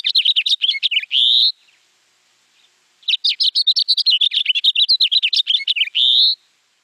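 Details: House finch (Haemorhous mexicanus) singing two fast, rambling warbles of high chirps and slurred notes with many pitch changes, each ending in a harsh buzzy note; no other sounds.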